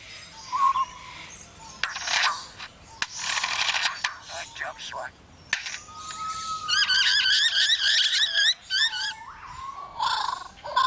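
A lyrebird mimics construction noise: harsh rasping bursts like sawing, a long flat mechanical whine, then rapid buzzy warbling trills and sliding whistles.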